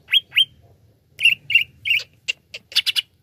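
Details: Greater green leafbird singing energetically as a lure song for other birds: two sharp rising whistles, then clipped buzzy notes and a fast cluster of metallic chips, dense and varied.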